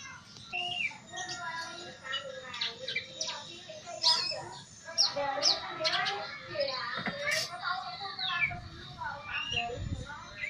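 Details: Caged pet greater green leafbird that has begun to sing often, giving a varied run of clear whistles, slurred rising and falling notes and sharp chirps in quick succession, with soft background hiss.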